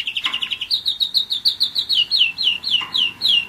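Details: A one-year-old German Roller-split canary delivers a steady run of clear down-slurred whistled notes, about five to six each second, evenly paced throughout.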